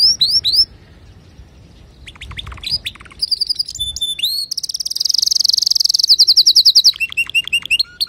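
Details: Singing male canary used to teach young birds: short whistled slurs, brief pause, then fast high trills building into a long bright rolling tour, ending with repeated dipping whistles.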